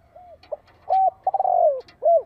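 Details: Decoy spotted dove calling to lure wild doves: a short soft note, then a low coo, a rolled stuttering coo that slides downward, and a final rounded coo, all mellow and low-pitched.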